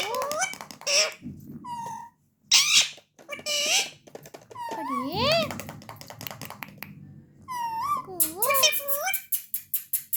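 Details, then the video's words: A talking ringneck (rose-ringed) parakeet indoors speaks in a high, squeaky voice, with bursts of word-like phrases, sliding whistles and a few sharp squawks. "Talking parrot"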